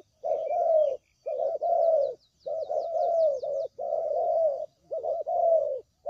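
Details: Lure call of a spotted dove for trapping birds: rough, mellow coos grouped in repeated phrases about once a second, slightly descending within each note, with a brief series of thin high chirps from other birds.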